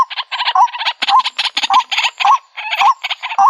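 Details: Rough, buzzy chatter of a white-breasted waterhen on a trapping lure recording, broken by rising twangy notes about every half second, with an uneven rhythm throughout.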